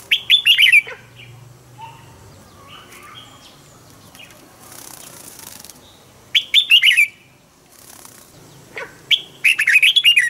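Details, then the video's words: Red-whiskered bulbul used as a caged decoy, singing at dawn to push other bulbuls into song in double-note wild style: three loud rollicking warbled phrases several seconds apart, quiet gaps with wing flutters and faint chirps. "Chiến binh chào mào mồi hót sáng, ép chào mào hót âm kép già rừng cực hay"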